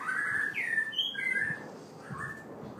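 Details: A White-rumped shama, halfway through his moult, sings a short string of clear, slurred whistles, some rising and one higher ringing note, then a few softer phrases, over light background hiss.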